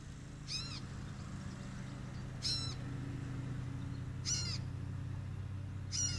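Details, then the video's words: A catbird calling near a deck gives four nasal, cat-like mews, each slurring downward, about every two seconds over a steady low rumble. "the cute kitty cat bird calling out"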